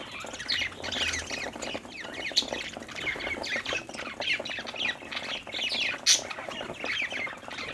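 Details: Happy budgerigars at play give a steady stream of warbling chirps and rasping squawks, several birds overlapping, with a couple of sharp clicks or taps standing out.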